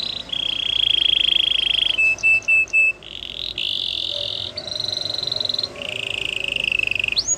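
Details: Canary song of sustained rolling trills at shifting pitches, interrupted by short whistled notes, over steady background hiss and noise.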